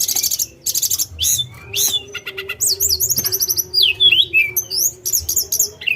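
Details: Tledekan gunung, an Indonesian songbird, in a busy high song of sharp chirps, buzzy trills, rapid ticking bursts and quick down-slurred whistles, delivered almost nonstop with short pauses, over a faint steady low hum.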